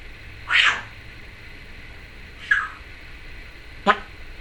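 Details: Pet female Timneh African grey parrot indoors, chattering: three short separate calls spread over a few seconds, a smeared squawk, a softer chirp and a sharp click-like note, with faint room hiss between them.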